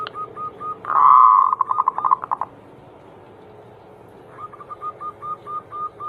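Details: Zebra dove (perkutut) singing in the Anggungan style, used as a prompt recording to get other doves singing: a loud buzzy coo breaking into rapid pulsed notes, a pause, then a run of short mellow coos repeated about four per second.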